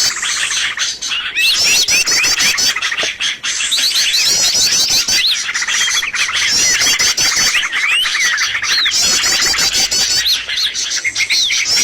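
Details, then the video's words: Bird lure sound used to attract birds for trapping: a dense, nonstop chorus of high chirps, rapid twittering trills and sharp squeaky notes from many overlapping birds, with short pauses near three seconds. "SUARA PIKAT BURUNG paling d cari!!"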